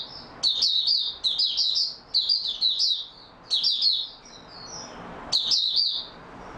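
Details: Mata puteh, the Oriental white-eye, in stable singing form, delivering rapid high twittering bursts of about half a second each, several in a row with short pauses between, then one more burst near the end.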